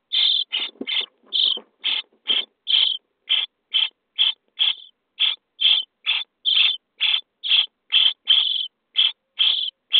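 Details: Nest-box starling nestlings on day 23, being fed, produce a fast, nearly continuous string of about twenty-two harsh, buzzy begging rasps, more than two per second.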